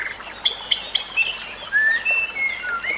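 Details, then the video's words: Soft White-rumped shama song for training other birds: thin, clear whistles, some short and separate, others longer and level, heard against a quiet background hiss. "Kicauan Murai Batu"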